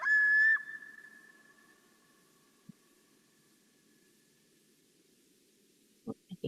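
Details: Common loon, a bird of North American lakes and ponds, gives one version of its song: one loud, pure, slightly wavering note trailing off over about two seconds. Quiet follows, then a few soft knocks.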